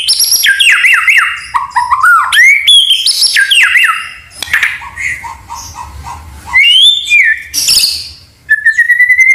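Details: A white-rumped shama sings hard, its song filled with canary and cililin imitations. Rapid descending whistled notes come in quick series, then rattling chatter, soft repeated chips, bright high whistles and a closing rising trill.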